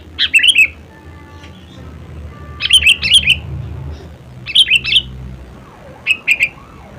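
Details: Sooty-headed bulbul (kutilang) song: bright, bubbly phrases of three to four quick whistled notes, repeated in bursts about every one and a half seconds, with faint background noise.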